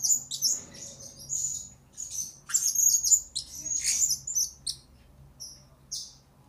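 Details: Blue-crowned hanging parrot used as a tutor and lure recording for training birds, giving rapid shrill chirps and short high trills in irregular bursts, about four notes a second, fading toward the end.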